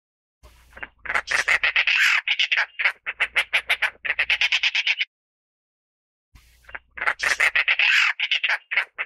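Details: Dollarbird (Eurystomus orientalis) gives harsh, rasping chatters, rapid grating notes run together in two bursts separated by a short pause, with a faint low rumble beneath.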